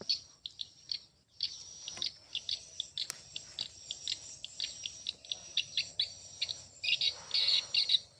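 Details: Swiftlets heard more sparsely, giving short, thin, high ticks and chirps spaced irregularly, then building into a denser buzzy twitter near the end.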